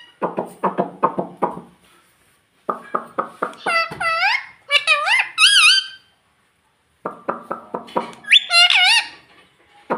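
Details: Pet parrot indoors mimicking speech, saying mummy: rows of short clipped syllables, then higher warbling voice-like calls with bent, wavering pitch, separated by silent gaps, in a small room.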